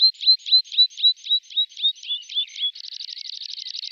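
A tree pipit sings a series of about eleven sharp, slurred high notes, then switches to a fast, even trill of repeated notes.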